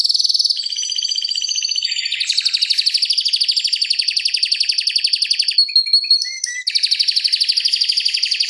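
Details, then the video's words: Canary, a tutor bird for training others, singing a long fast rolling song: dense rapid trills near high pitch, shifting between trill types, with a brief break of scattered notes before the roll resumes. "Kenari Masteran Suara Gacor Ngeroll Panjang Untuk Pancingan Maupun Masteran"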